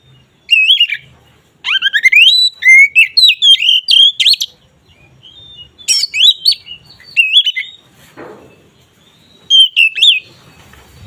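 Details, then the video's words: Oriental magpie-robin (kacer), 'ngeplong' song to boost mating drive; bursts of rapid varied whistles and chirps with short pauses between, and one brief rasping noise near the end. "Suara BURUNG KACER Ngeplong ini sangat ampuh untuk menaikan Birahi kacer"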